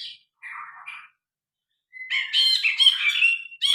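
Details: Grey-cheeked bulbul singing vigorously, recorded with a phone, original sound: a few low scratchy notes, a pause, then a loud run of harsh chattering and buzzy warbles.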